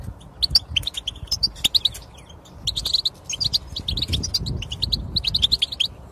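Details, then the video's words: Twittering European goldfinch song meant to make a mute goldfinch sing, with rapid clusters of high sharp chirps in bursts separated by brief gaps, faint low rumbling underneath. "بتبتة للحسون الصامت يتكلم مجربة ومضمونة"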